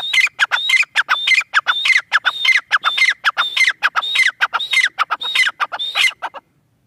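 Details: Calling francolin pair (irani teetar): a steady run of harsh, rhythmic phrases. Each one opens with a high whistled note and drops into grating chatter, repeating about every 0.6 seconds before stopping abruptly.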